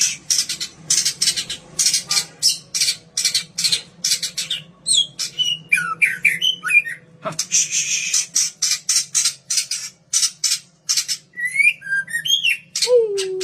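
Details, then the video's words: Bred white-rumped shama of the Kaur strain singing as a lure for other birds: dense run of harsh high bursts broken by looping whistled phrases and a few lower slurred notes, with a constant low hum throughout. "pancingan suara burung murai batu 100% ampuh"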